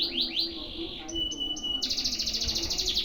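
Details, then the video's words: Canary singing a one-breath tutoring phrase: quick descending slurred notes, a short run of clipped high whistles, then a steady rapid trill, with faint low background sounds. "MASTERAN KENARI DURASI PANJANG SATU NAFAS"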